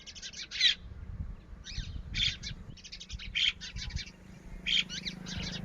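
Red-wattled lapwing chicks give high, thin, scratchy peeps in quick clusters, about one burst every half second, over a low background rumble and hum.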